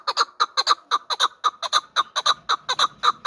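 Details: Rapid chuckling from a hybrid fighting partridge of last year's brood: paired, clipped mid-pitched notes repeated briskly and evenly throughout, loud and clear against a quiet background.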